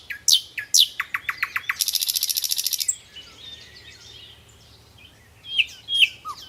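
Sharp, high down-slurred chirps, then a quick run of notes and a dry, buzzy rattle lasting about a second. Softer chirps and thin whistles follow.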